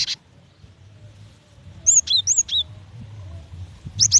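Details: A female cinereous tit calling the male gives a few sharp, high whistled notes in pairs, with long quiet gaps and a faint low hum beneath.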